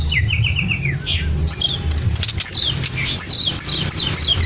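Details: Captive white-rumped shama of the Medan type mimicking lovebird, canary and cililin: a run of five short descending whistles followed by varied chirps and slurred high notes, over a constant low drone.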